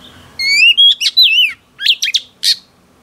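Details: Female oriental magpie-robin, wild-caught, singing to provoke males: a rising whistle, then wavering slurred notes and quick sharp chips in a lively three-second phrase against a quiet room.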